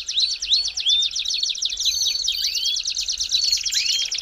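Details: Belgian canary singing to warm up other canaries, rapid buzzy high trills layered with clear rising-then-falling whistled notes repeated about twice a second.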